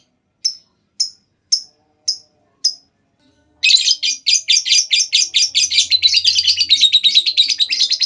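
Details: Lovebird long ngekek trill, played as a lure to get other lovebirds singing. Five sharp regular clicks open, then a loud, rapid, buzzy chattering trill runs without a break for over four seconds.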